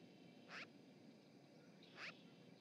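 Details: Magpie calling at the Charlo osprey nest in Montana on 7 March 2018, picked up by a live nest camera: two short, harsh, rasping notes about one and a half seconds apart over steady low background noise.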